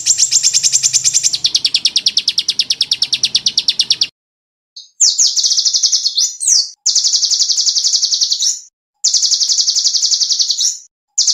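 A small songbird pours out very high, rapid buzzing trills in bursts of one to two seconds, with short silent breaks between them.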